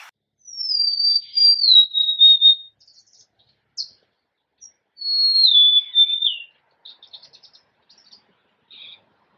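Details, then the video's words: Two Golden-crowned sparrow songs about four seconds apart, each a clear, high whistle stepping downward over roughly two seconds, followed by faint, soft twittering notes in otherwise quiet surroundings. "Natural Birds Voice, Bird Natural Sound.Golden crowned Sparrow."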